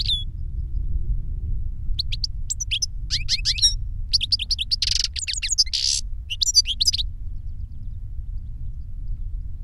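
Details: Caged European goldfinch singing reclamo-style song, one of a master and novice pair. Quick twittering runs of sharp notes, a brief harsh buzzy burst midway, and a continuous low background hum.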